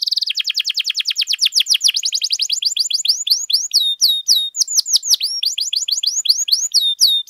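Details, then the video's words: Canary in sustained song, used to train and prompt other canaries: a fast buzzy trill accelerating into a long chain of sharp, high, down-swept whistled notes, steady and unbroken throughout. "KENARI GACOR DURASI PANJANG BUAT MASTERAN DAN PANCINGAN KENARI"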